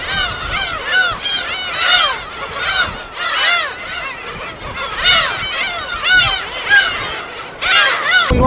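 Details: At a gull habitat on an uninhabited island in the West Sea, numerous birds give harsh, arched, laughing cries in overlapping waves, pulsing in loudness, ending with a brief rough noise burst.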